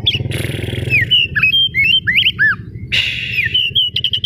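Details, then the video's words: Oriental magpie-robin (kacer daput) singing loudly as a lure to provoke other magpie-robins into answering: varied whistled slurs, rising and falling notes and quick chips, over low engine-like rumble. "pancingan kacer gacor ngotot memancing kacer diam langsung on jadi emosi nyaut"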